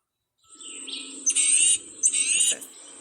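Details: Tufted Titmouse giving a warning "get out of here" call, as when a cat or hawk is nearby: two harsh, raspy scolding bursts about a second apart, loud and high, over a faint steady hum.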